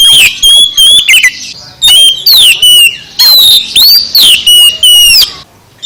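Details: Loud song of an oriental magpie-robin, a rapid run of sharp whistled phrases with upward and downward sweeps, delivered in close bursts separated by very short gaps.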